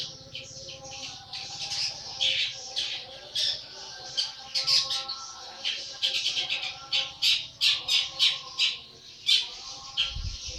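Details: Long-tailed shrike youngster aged 80 days in full voice, delivering rapid raspy chatter and sharp squawking notes in uneven bursts, growing denser and more clipped toward the end, with a low thump at the close.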